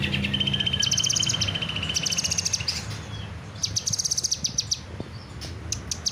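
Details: Kinoy bird singing lively, high-pitched trilled phrases: a long even rattle, then a slightly lower sustained trill, a pause, and further bursts of rapid chips with scattered single clicks, over low background noise.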